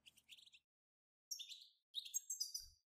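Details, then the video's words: Faint bursts of European goldfinch batbata song, a group song meant to stir goldfinches into singing. Three short, high twittering phrases of buzzy and liquid notes are separated by silence. "أخرج حسونك من صمته واكتشف التغاريد المخفية لديه.. بتبتة خرافية وتحفيز رهيب"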